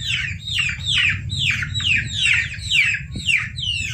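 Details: Chicken chicks peeping, used as a lure to trap civets and other wild predators; loud descending peeps repeated about twice a second over a low rumbling background.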